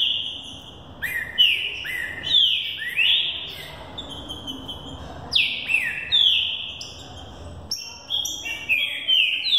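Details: Young Green-winged saltator preparing for the 2018 singing season, Thunder Truck style at over 20 songs per minute. Powerful whistled phrases slur downward in grouped bursts, each set separated by brief gaps.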